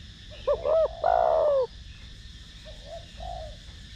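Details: Spotted dove cooing in the 'thổ đồng' voice, meant to spur lure and training doves: two brief hooted notes and a long, resonant, descending coo, then two soft low murmured coos.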